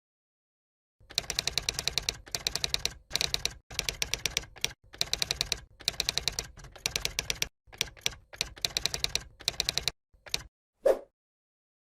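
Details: Rapid bursts of mechanical clicking like typewriter keys, in rhythmic runs separated by short pauses, ending with a single low thump; no animal voice is heard.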